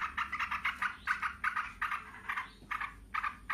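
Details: Yellow-vented bulbuls answer one another in noisy, fast, bubbly bursts of mid-pitched notes, several phrases a second, with little pause between one bird's phrases and the next.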